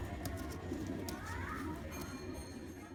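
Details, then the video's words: Black male pigeon performing a display, giving low, murmuring coos that swell and fade, with a faint rising tone midway, over steady low background rumble and scattered sharp clicks. "Pigeon Sound Effect || Male Pigeon Super Performance || Black Pigeon"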